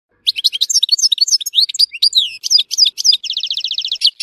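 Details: Goldfinch from Tissemsilt in full song: a dense, unbroken run of high, tinkling, slurred notes, closing with a quick even rattle of repeated notes.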